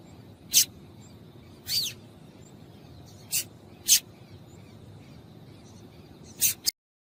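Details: Calls of a female yellow-bellied seedeater, used to excite males: six sharp, scratchy chips at irregular intervals, one dropping slightly in pitch, with faint background hiss.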